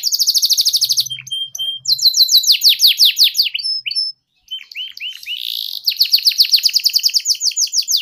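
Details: Canary song used as tutoring material for young canaries learning to sing: fast repeated downward-sweeping chirps and trills, high and bright, with brief pauses and a short silent gap midway.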